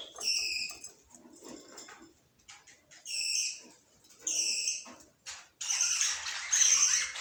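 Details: Pet budgerigars in bright, high chirping bursts about a second long, separated by short pauses, with a busy warbled stretch of overlapping chirps toward the end.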